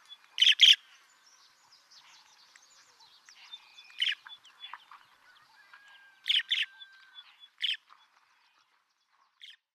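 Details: A White-headed buffalo weaver (Dinemellia dinemelli) sings in Meru National Park, Kenya: loud, harsh, squeaky bursts separated by softer chatter.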